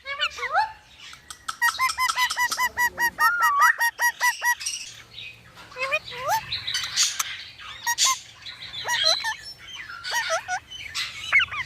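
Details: ['Indian ringneck parrot talking: a fast run of evenly repeated, clipped notes, followed by scattered swooping voiced syllables and noisy squawks.']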